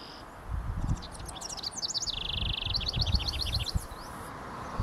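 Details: House wren singing from the top of a pine tree in early morning, 28 May 2023, Kennebecasis Park, New Brunswick: a bubbling, rapid cascade of high chattering notes with a steady buzzy trill in the middle, over low rumbling background noise.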